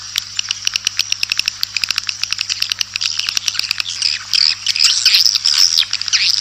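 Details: Swiftlet call sound meant to attract swiftlets: dense, fast high chirps and twitters, about three per second, becoming a continuous overlapping chatter in the second half, over a steady low hum.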